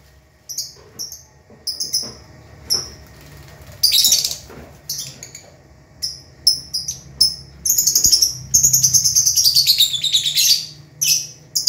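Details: Lovebirds, some singing vigorously (gacor) while others sleep or sit in pairs; scattered sharp high chirps, a harsh burst, then a long shrill warbling phrase sliding downward in pitch, over a soft low hum.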